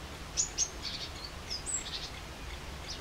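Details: Great spotted woodpecker uttering two abrupt, sharp, high-pitched notes about a fifth of a second apart, then a scatter of faint, softer chirps against a low, steady hiss.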